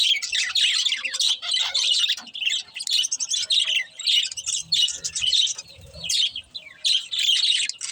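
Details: Budgerigars warble in rapid chirpy bursts, grating and bubbly notes in quick runs separated by short breaks.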